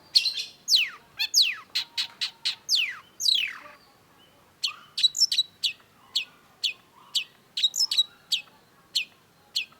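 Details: Cendet, the long-tailed shrike, in a vigorous masteran recording: a fast run of steep descending sweeps, a short pause, then rapid sharp high chips delivered in clusters.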